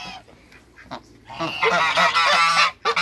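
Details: After a quiet start, a backyard group of African geese, two males and a female, bursts into a loud, rapid stretch of harsh overlapping honks.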